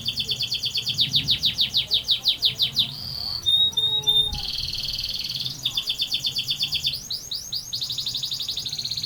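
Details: Canary in full rolling song, alternating rapid repeated sweeping notes with steady buzzy trills and brief pure whistles, phrases changing every second or two with almost no pause.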